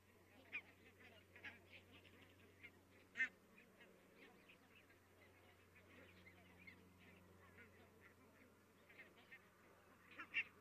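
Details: Many barnacle geese calling in the distance in Estonia on 22 October 2017; a dense, continuous chorus of short yapping calls overlapping throughout, a few louder single yelps near three and ten seconds, over a steady low rumble.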